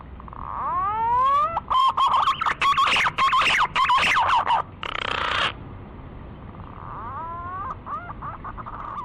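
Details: Lure call of a green pigeon for hunting: a rising whistle, a string of loud warbled notes ending in a hissy burst, then a quieter rising whistle and soft warbles.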